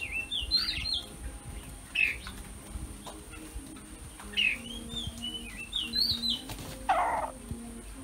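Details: A female Oriental magpie-robin, found singing among a keeper's caged birds and then trapped, sings short bursts of sweet, varied whistles and chirps every second or two, over a steady hum and faint chirps.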